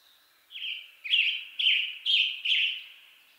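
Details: A western tanager gives five loud, raspy phrases in quick succession, each harsh and slightly descending, roughly half a second apart, with little else audible.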